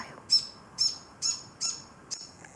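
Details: An older morepork perched on the edge of a container continuously calls to an injured younger morepork with a broken wing inside, as though comforting it: five high, thin chirps about half a second apart, fading toward the end, against a quiet background.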